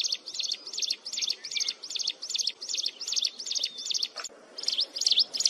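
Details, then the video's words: Mountain wren singing shrilly and without let-up, sharp high chirped phrases repeated in a steady stream, a brief break, then quicker, louder twittering. "Tiếng Hót Liên Hồi Chói Tai Của Chim Hồng Tước Núi"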